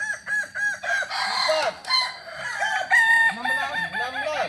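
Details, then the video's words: Kokok balenggek roosters at a group practice event in Solok. A clear crow of short, evenly spaced arched steps opens, then more roosters join with rising and falling stepped crows that overlap densely. "latberan ayam kukuak balenggek di solok"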